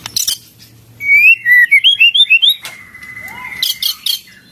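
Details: White-rumped shama song, isian cililin: after a few sharp high chips comes a clear series of about eight whistled notes rising and falling, then a long steady whistle and a short burst of high chips.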